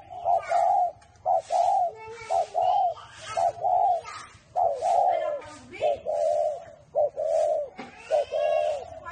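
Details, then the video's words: Spotted dove kept at a bird farm in Ba Vì, Hanoi, Vietnam, in the "whistle voice" (thổ mổ còi) style. Soft, whistled coos repeat in short-long pairs, with human voices and a few other bird sounds in the background. "CU GÁY GIỌNG CÒI (thổ mổ còi)"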